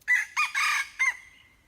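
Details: A hybrid junglefowl crows with an abrupt start: two clipped notes, a long rough central phrase, then a last syllable that fades slowly into a thin held tone.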